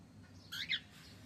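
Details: Male cockatiel giving a brief, loud two-part chirp, the second note sharper and rising, over a quiet low hum.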